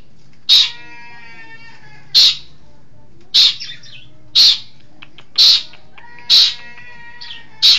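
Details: East Javan long-tailed shrike giving loud, rasping, harsh single notes about once a second, each a short scratchy burst, with faint whistled tones in the gaps.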